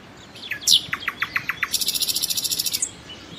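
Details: A common nightingale delivers a phrase of evenly spaced descending notes that accelerates into a rapid, harsh, high-pitched rattle of about twenty strokes.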